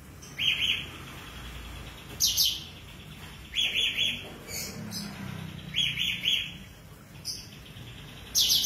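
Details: Tame, actively singing sooty-headed bulbul, suited as tutor material for magpie robins: bright, high chirping phrases of several quick descending strokes, repeated roughly every one and a half seconds over a low steady hum.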